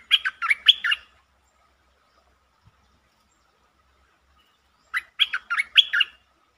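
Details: Two short, liquid, gurgling phrases from a streak-eared bulbul, recorded 13 February 2023. Each holds four or five quick warbled notes, and the phrases are separated by about four seconds of quiet.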